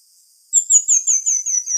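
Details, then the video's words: Pin-tailed manakin singing a fast string of high, thin whistled notes, each a short downward slur, about seven in just over a second, sharp and bright against silence. "Canto do Tangarazinho / Saíra Licúria | Pin-tailed Manakin | Ilicura Militaris"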